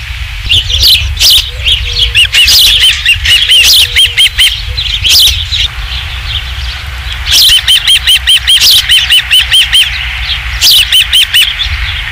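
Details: Osprey calling at the Dunrovin Ranch nest, 27 July 2016, during the third fish delivery: bursts of rapid high, sharp chirps, about two or three per second, broken by brief gaps, with faint low tones in between and constant low rumble.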